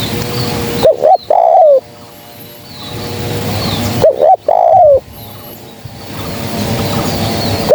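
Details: Spotted dove call for luring birds into traps: two phrases nearly four seconds apart, each two quick coos and a drawn-out falling note, with steady low background hiss.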